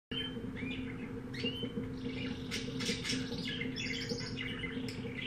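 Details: Pet canary bought from a pet shop, breed unknown, singing indoors: scattered short chirps and brief slurred whistles that rise and fall, with a few quick trills, over a steady low electrical hum.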